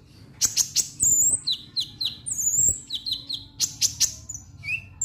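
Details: Lovebird giving its 'ngek ngek' vocalisation, played to provoke other lovebirds into singing: rapid sharp high chirps and down-slurred squeaks in quick bursts, with short bright whistles between them and a faint low hum in the background.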